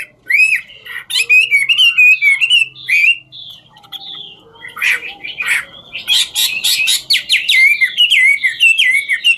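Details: Chinese hwamei in ngũ trường style singing while dancing: clear looping whistles interrupted by harsh grating bursts, then a fast run of loud warbled notes.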